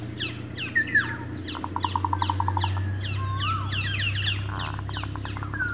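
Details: Local zebra dove song, played as a trapping lure and for new birds: a fast even run of short cooing pulses mid-clip, amid busy chirps, whistled slurs and trills of other birds and a low hum.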